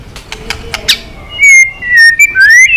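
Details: Long song of a white-rumped shama meant to spur fighting: soft ticking clicks at first, then clear drawn-out whistles gliding down and up.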